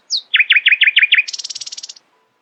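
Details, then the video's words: Nightingale in early morning song: one high downslurred whistle, then six loud swooping chirps in quick succession, followed by a fast, very high buzzing rattle. "Nightingale screamed in the early morning, proudly displaying her poetic singing voice."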